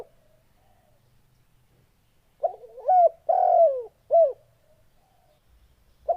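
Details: Spotted dove calling with a series of low, mellow coos, the longest note bending down at the end, in a burst of about four phrases after two seconds of near silence; faint low hum in the background.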